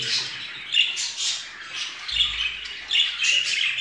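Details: Caged budgerigars of the Rainbow variety, whose hen has laid a fourth egg, chatter in busy, rasping, high warbles broken by brief squeaky chirps, with a faint low thump midway.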